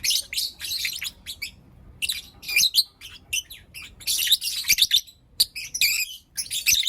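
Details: Pet lovebirds of Blue Opaline and Lutino Opaline colour chirping in the morning: loud strings of high, grating squeaks and chatters, one quiet pause, then a dense run of calls.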